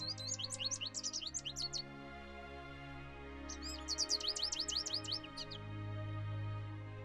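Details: American Goldfinch, a common backyard feeder visitor in Ontario, Canada, giving two bursts of bright, high twittering notes, quick and jumbled, over a soft musical background.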